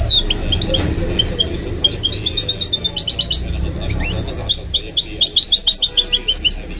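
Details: Goldfinch–canary mule song, the caged hybrid delivering quick runs of twittering notes and buzzy trilled bursts high in pitch, phrases rushing together with barely a pause, against a faint low background hum.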